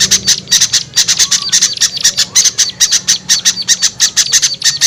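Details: Lure call for small birds: sharp, scratchy high chips delivered in fast, even runs, with a few thin whistled notes and a faint low hum.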